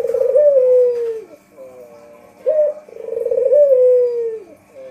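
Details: Lure call of a white Barbary dove: two full rolling coos, each a pulsing low trill that slides into a long falling note, separated by a brief sharp upward note.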